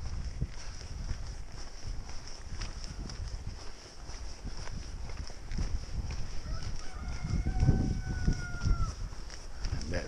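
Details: A rooster on Mitterfelderweg, which the passer-by says crows whenever he walks past, gives a single drawn-out crow, level then dropping at the end, over heavy low rumbling, handling noise and a man speaking.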